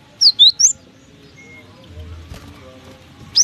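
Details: Cinereous tit in strong wind gives a brief phrase of three high, sharp whistled notes, then a single note at the end, against faint gusty background noise.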